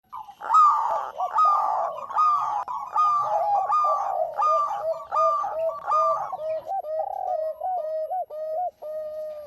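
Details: Local zebra dove singing actively: rapid runs of soft, rolling coos with crisp stuttered notes over the first seven seconds, then slower, evenly spaced arched coos that fade toward the end.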